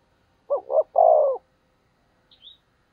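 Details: Single cooing phrase from a decoy spotted dove meant to provoke wild doves: two short notes followed by a longer sustained coo, then a faint high chirp from a small bird.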